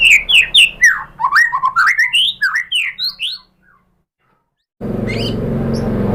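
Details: White-rumped shama lure song, played to provoke other shamas into answering: a quick string of sweet, rising and falling whistled notes for about three seconds, a short silence, then a steady loud rushing noise.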